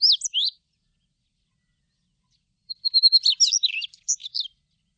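Daurian redstart: a brief high twitter, then a quick run of thin repeated notes breaking into a scratchy, tumbling warble. No other sounds.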